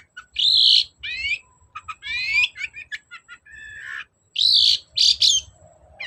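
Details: Long-tailed shrike song used as a lure to get a reluctant bird singing: loud, varied chattering phrases of buzzy rising sweeps and harsh bursts, broken by short pauses, with some quieter mid-pitched notes between.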